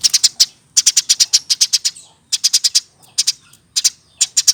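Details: Hand-raised caged Eurasian tree sparrow, over one year old, singing in rhythmic bursts of four to ten quick, piercing high chirps with short gaps between bursts.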